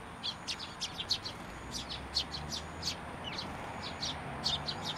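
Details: Sparrows gathering at a feeding spot on a handrail at a shrine in Japan on 29 June 2023, giving short scattered high chirps, several in quick succession, over a steady background hum.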